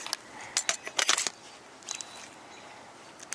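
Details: Sharp, dry clicks and crackles, like scissors or a camera shutter, come in short bursts over a quiet background, with no animal voice.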